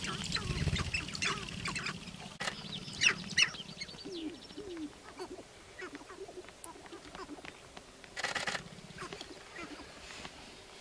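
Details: Sharp-tailed grouse gathered on a lek in Northern Wisconsin on April 29, 2021. A short low buzzing rattle opens, followed by scattered clucks, cackles and short hooting coos from several birds.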